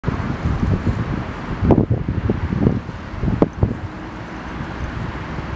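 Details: Gusty wind buffets the microphone, with a few sharp knocks and rustles and no animal voice.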